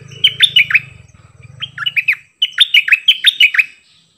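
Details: Cream-vented bulbul singing its doubled 'phleng boen' song style, recorded 18 June 2021: quick bursts of bright, slurred whistled notes dipping and rising, in two bouts separated by a short pause, with a low hum under the first second.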